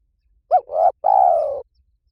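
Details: Cooing of a spotted dove, used as a lure said to bring doves in fast anywhere. One phrase: a quick arched note, a rising swelling coo, then a longer buzzy coo sliding slowly downward. Quiet, clean background.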